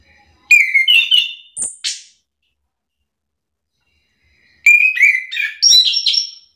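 Orange-headed thrush singing two quick bursts of varied, high whistled and chattery phrases, separated by a few seconds of silence; nothing else is heard.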